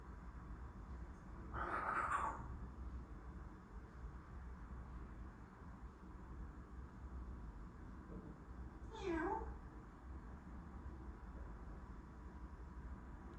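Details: Pet African grey parrot indoors, asking for a head scratch: two short parrot vocalizations, a harsh meow-like imitation near the start and a second downward-sliding call later, with long quiet gaps and low room hum between.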